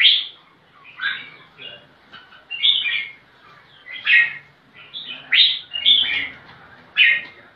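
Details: Searching for a rival to fight, a red-whiskered bulbul delivers loud, separated whistled phrases, each a quick rising-and-falling flourish, spaced about one to two seconds apart.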